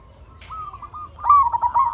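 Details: Local zebra dove used as a singing lure for other doves; a brief steady coo gives way to a loud, bubbling, rolling trill that fades at the end.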